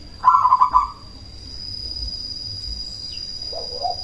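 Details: Cemani zebra dove used as a calling lure to rouse other doves: a brief burst of fast pulsed coos lasting under a second, then quiet, with a softer lower double note near the end and a constant thin whine.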